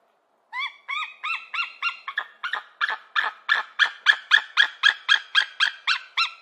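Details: An eagle gives a rapid string of repeated calls. Several clean slurred notes with overtones turn into louder, rougher, down-sloping notes, evenly spaced at nearly four per second in a quiet setting.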